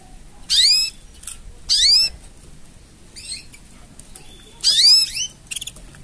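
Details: Mating song of a canary: loud bright upsweeping phrases with rich overtones, repeated about every second, then a quieter pause and a fresh burst of rising sweeps with short trailing chirps.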